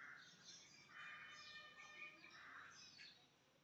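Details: Black francolin (black partridge) from Chakri, a kept calling bird, gives harsh, scratchy bursts about once a second, with thin whistled notes between the bursts against a quiet background.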